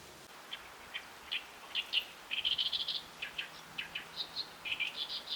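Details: Great Reed Warbler at a tidal flat at high tide, with mudskippers present; scattered harsh notes lead into a dense chattering phrase, followed by evenly spaced croaks and higher squeaky syllables.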